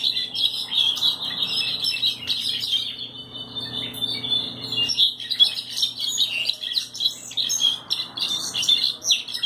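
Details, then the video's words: European goldfinch described as pinto (pied), singing a continuous, rapid twittering song of high, tinkling chirps and trills with buzzy notes mixed in, carrying on almost without pause for the whole stretch. "Jilguero Cantando"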